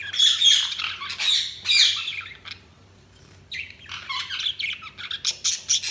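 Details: Budgerigars chirping: dense, high, scratchy warbling chatter in loud bursts, a brief pause midway, then quick clicky chirps and short squawks resume.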